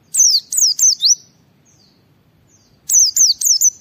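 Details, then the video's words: White-eye 'ngalas' song, meant to get other white-eyes singing: two rapid bursts of three or four shrill downslurred whistles separated by about two seconds of quiet. "Suara Burung Pleci Gacor membuat Semua Pleci langsung ngalas"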